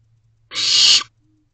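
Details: Barn owlet at night, 1:15 am on 22 May 2023, looking out the door of a nest box and calling to its parents for food, siblings behind it: one harsh, hissing screech of about half a second, broad and noisy.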